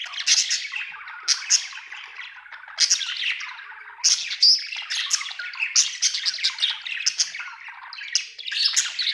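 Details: Contented budgerigar chirping steadily, rapid buzzy chatter broken into phrases of about a second, with frequent sharp squeaky peaks throughout.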